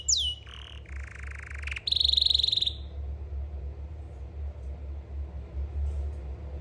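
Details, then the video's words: Canaries in Jeddah, said to be celebrating new eggs. A steep downward whistle is followed by a harsh, buzzy stretch and then a fast bright trill. Quieter chirps come after, over a low hum. "Canary birds are happy and celebrating the new eggs"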